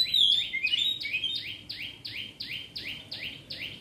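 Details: Oriental magpie-robin singing: a series of bright, downslurred whistled notes repeated about twice per second, over a steady background hiss.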